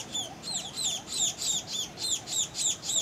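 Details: Young Scaly-breasted Munias, subspecies particeps, begging for food while returning to the nest at Tangkoko, Sulawesi, Indonesia, August 2014. Two birds give a steady stream of high, sharp, down-slurred squeaky notes, roughly three or four per second, with a faint rising undertone.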